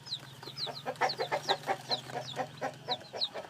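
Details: Newly hatched chicks peeping: thin, high notes that slide downward, repeated rapidly and unevenly, over lower soft clucking pulses and a steady low hum.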